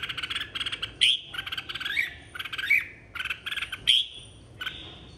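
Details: Contest singing of a red-whiskered bulbul in 2023, stimulated to sing and call the flock: rapid rattling chatter broken by loud, clear whistled notes about once a second.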